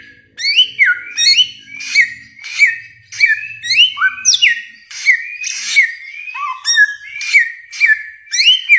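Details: Bare-throated whistler, called samyong in Indonesia, in a long varied 'masteran' song: loud whistled phrases that swoop upward and level off, repeated at roughly half-second intervals, with faint low hum early on.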